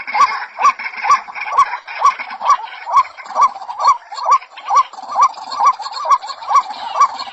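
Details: Female white-breasted waterhen calling for a male, giving a loud, even series of rasping, hooked notes roughly twice per second in a strongly regular rhythm, over a soft noisy background.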